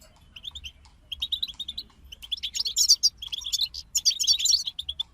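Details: A European goldfinch group sings, starting with spaced bright chirps and building to dense, rapid tinkling twitters and buzzy trills in bursts, faint low hum beneath.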